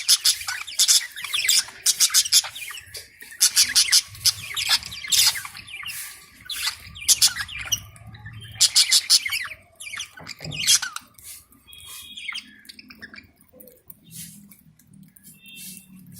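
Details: Lovebirds on a bird farm chatter as a flock, with sharp, high, squeaky chirps in rapid bursts.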